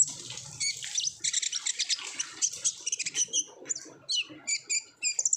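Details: Energetic olive-backed sunbird 'ngobra' song meant to prompt untrained sunbirds to sing; a dense high twittering burst opens, followed by crisp separate chips and short upslurred whistles.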